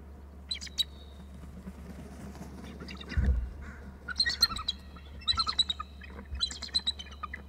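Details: Eagles of a pair at the nest area on 9 March 2018 around 9:55, one adult perched on a branch, giving calls: high, thin, chattering trill bursts after a low thud near three seconds, in short runs about every second.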